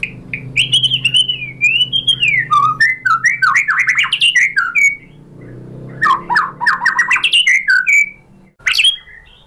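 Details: White-rumped shama lure song: long fluty whistles sliding up and down, then a burst of rapid sharp notes and slurred phrases, with a short gap before a final loud note; faint hum beneath.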